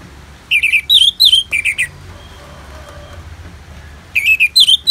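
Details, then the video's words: Orange-headed thrush song from northern Bali: a quick sequence of rich whistled and warbled notes, a quiet gap, then another fast run of similar slurred phrases. "Terapi ANIS MERAH Ngeplong dan Suara Hujan ALAMI"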